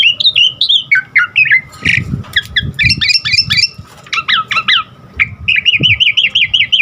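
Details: Vigorous Asian pied starling singing with varied filler phrases, for luring and training caged birds; wavering whistles, harsh squawks and quick downslurred notes, ending in a rapid rippling trill, with low thumps in the background.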